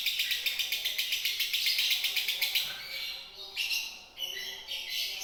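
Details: Lovebird from Indonesia giving konslet style song: a rapid run of high, evenly spaced ticking notes for about three seconds, then separate loud squeaky chirps with short pauses.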